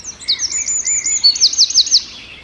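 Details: A wren chirps in the forest, a loud, thin, very high song of rapid repeated notes. It builds into a fast run of sharp, falling strokes before stopping, with a quiet background.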